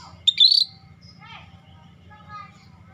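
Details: Scaly-breasted bulbul giving one quick, bright, high whistled phrase that rises and then drops. Softer faint chirps and a low hum follow.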